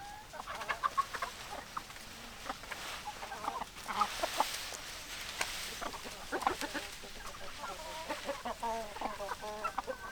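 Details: Flock of hens clucking: overlapping short, throaty clucks and murmurs from several birds, busy and continuous, over steady background hiss and scattered clicks.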